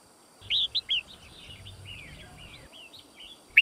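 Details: Red-whiskered bulbul fighting song for training: three loud, clear whistled notes open, followed by a trail of softer slurred, downward whistles and a final sharp note, over a faint low hum.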